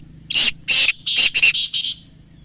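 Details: Rapid run of six coarse, buzzy notes from a black francolin, the middle ones closely spaced, the last softer. Call played so that captive francolins start to call.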